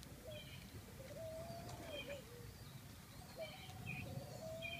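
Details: Two drawn-out, soft coos from a ringneck dove, each a level tone with a slight wobble and a falling finish. Higher chirping birds call between and over them, against a steady low rumble.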